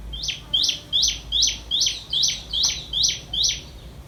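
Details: Nestling common tailorbirds fed by their parent, which brings caterpillars: nine loud, high, buzzy chirps with a slight downward sweep, evenly repeated about twice a second, over a quiet low background hum.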